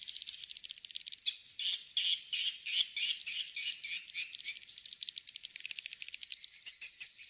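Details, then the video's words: Swiftlet call recording known as King's Star, played to draw swiftlets into nest houses: fast chattering twitters in pulsing bursts about three per second, ending with a thin rising whistle and sharp chirps. "Suara walet King's Star | Suara walet terbaik berkualitas"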